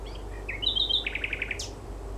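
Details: Nightingale at night in May beside the River Mole, Gatwick Airport: quick rising chirps, a buzzy run, then seven evenly spaced bubbling notes and a sharp high note, against a constant low mechanical hum.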